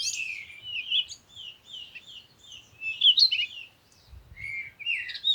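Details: A bird sings a steady stream of high, sliding whistled notes and chirps with barely any pause, lively and varied in pitch, with a faint low rumble partway through.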